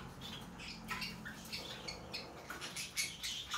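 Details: Hand-tame Rosy-faced lovebird chick, Golden Cherry colour variety, in Fukuoka, Japan, recorded 16 December 2023: soft, irregular squeaky chirps several times a second, with rustling and light tapping throughout.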